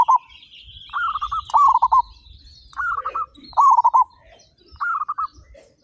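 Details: Loud-voiced local zebra doves, 35 birds, singing steadily: paired bursts of trilled, pulsing coos repeat roughly twice every two seconds, over faint high chirps and a low rumble.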